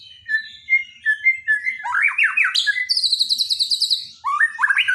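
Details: Borneo white-rumped shama singing a daily training song for silent shamas. Clear whistled notes repeat and climb into fast slurred rolls and high trills, then end in rising ringing phrases.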